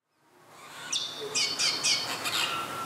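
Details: Apostlebird giving a short series of harsh, scratchy, broadband squawks, about four rasping bursts within two seconds, following one brief sharp note, over a steady background hiss.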